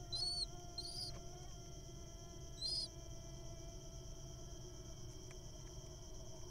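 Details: Little owl nestling in the wild, being fed and swallowing a mole cricket; three short, squeaky, high notes with a rasping edge, two close together, then one after a pause, over a steady background hum.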